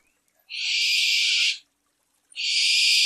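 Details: Barn owl screeching at night: two long, harsh, hissing screeches, each lasting about a second, separated by roughly a second of near silence, with a faint low hum underneath.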